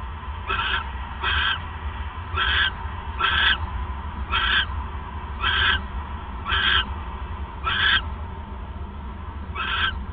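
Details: ['Owl recorded at night on 28 December 2014, 9:42 PM, while the male delivers his third mouse; ten raspy, noisy screeches in an uneven series, close to one per second, above constant low rumbling.']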